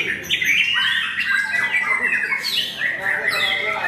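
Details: A white-rumped shama competing in a singing contest at Mahendra Arena gives clear whistles and sharp, squawky phrases, mixed with other contest birds and murmuring people.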